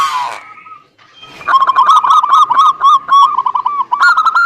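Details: Zebra dove song used to coax a quiet bird into singing: a brief rough burst, then a continuous, fast stream of rolling, stuttering coo notes from more than one bird.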